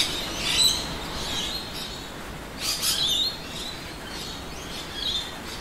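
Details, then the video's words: Rainbow lorikeets give shrill, screechy chatter in three short bursts about two seconds apart over steady hiss, in suburban Adelaide, South Australia, at midday in winter, with many lorikeets and noisy miners present. "Rainbow Lorikeets Singing"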